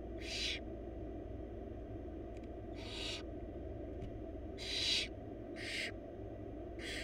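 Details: Harsh begging screeches from four wild barn owl young in a nest box as their mother feeds them a big bunny; six rasping hisses spaced unevenly, some louder than others, faint clicks between, low hum throughout.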